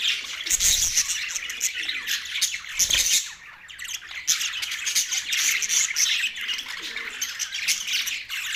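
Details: Several Australian budgies chirping while mating, November 19, 2023; continuous shrill chatter, squawks and piping notes from many birds, with two brief bumping noises around the first and third seconds.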